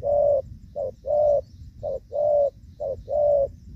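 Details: Decoy spotted dove on a rainy-season trapping day, 23 July 2024, cooing in the gù vấp style. A brief low hoot alternates with a longer, fuller hoot in a steady pattern of about one note per second.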